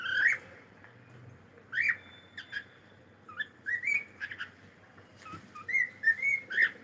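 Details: Cockatiel singing a lively run of whistled notes. The phrases rise and fall and come in quick bursts, some notes clipped and some drawn out, with a steady low hum in the background.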